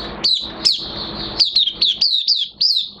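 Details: An Oriental white-eye in light moult, June 2022, sings a lively string of high, falling whistled notes, several per second, clear above a faint steady hum.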